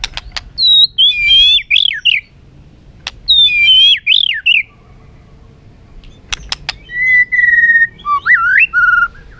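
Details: White-rumped shama repeating a phrase of rolling, looping whistles twice about two seconds apart, then sharp clicks and a sustained level whistle followed by a slurred dip and final note.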